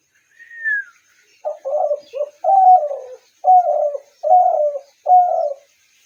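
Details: Spotted dove calling: a single high slurred whistle-like note, then a series of six mellow, hoarse two-part coos roughly once per second, clean and close with no background.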